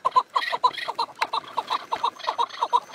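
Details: Chukar partridge delivering quick, uneven clucking notes in a fast chattering series, nearly three per second, loud and close, with harsher rasping syllables woven through.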